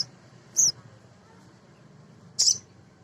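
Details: Male sogon, a nectar-feeding sunbird used as a lure for other sogon: two isolated high, thin chirps nearly two seconds apart over soft background noise.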